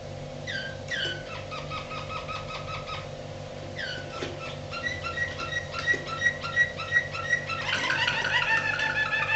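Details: A canary sings rolling trills and fast runs of clear, flute-like notes, repeated almost three times a second, over a steady indoor hum; recorded in 2008.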